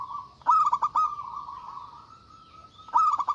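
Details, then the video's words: Local zebra dove calling with a big voice to summon rivals: a stuttering run of quick coo notes, a long even tone, then another rapid stutter at the end. "Suara Burung Perkutut Lokal Gacor Suara Besar Ampuh Memanggil Lawan Bunyi Emosi"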